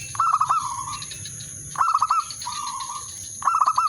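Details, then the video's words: Zebra dove lure bird calling a rival, a mating call: three bursts of rapid stuttered notes about every 1.7 seconds, each followed by a smooth sustained trill, with a steady background hum. "burung perkutut/merbok pikat memanggil lawan bikin birahi gacor manggung"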